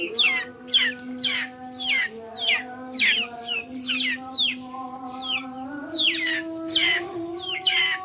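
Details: Chickens in a backyard: a steady stream of high descending peeps, several per second, layered over a sustained low humming note that steps up and down in pitch.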